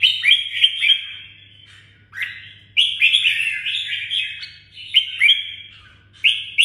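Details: A red-whiskered bulbul from Đồng Nai, Vietnam, repeats lively chirping phrases of bright, wavering whistles, each burst about a second long with short pauses between. A low hum continues throughout.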